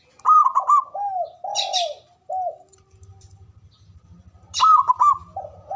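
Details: Male zebra dove in ngoar manggung style, a call for stimulating mating arousal: rapid trilled staccato notes give way to drawn-out rising-falling coos, the pattern starting again near the end, with a low buzzing hum in the pauses.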